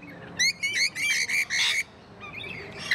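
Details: Captive rainbow lorikeets at a wildlife zoo let out a string of grating, shrill screeches, six or so close-spaced bursts, followed by quieter scratchy chatter.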